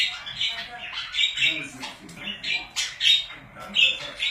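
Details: Pet budgerigars making harsh nasal squawks and warbled chatter indoors, notes rising and falling in a busy stream with brief pauses.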